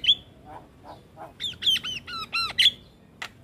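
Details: Javan myna song used to train young mynas to sing: harsh squawks, then a run of loud looping whistled notes sweeping down and up, with clicks and rasps between.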